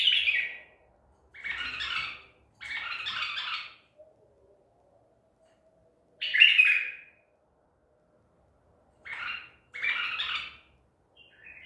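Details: White-eared bulbul of the Baghdadi tor type, a bird trapped at Medical City, singing on 14 April 2021: short burry phrases separated by gaps of one to two seconds, with a faint low hum in between.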